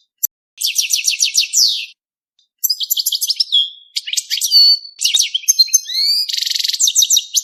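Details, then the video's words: Goldfinch courtship singing without a break, a fast jumble of bright twitters, rattling buzzy trills and upslurred whistles in long runs after a brief pause, no other sounds. "5 دقائق من تغريد الحسون بدون توقف .تزاوج الحسون"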